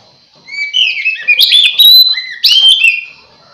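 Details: Lure song of an Oriental magpie-robin, meant to make other magpie-robins gather: rich, loud whistling with rising and falling slurred notes and scratchy chirps over about three seconds.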